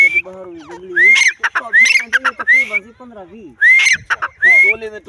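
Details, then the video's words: Female grey francolin giving a series of loud, upward-sweeping whistled notes, repeated in pairs and clusters with harsh scratchy bursts between, while a person talks quietly underneath. "Dakhni teetar ki awaz|teetar voice|teetar awaz|Teetar awaj|teetar sound|grayfarcolin|female teetar"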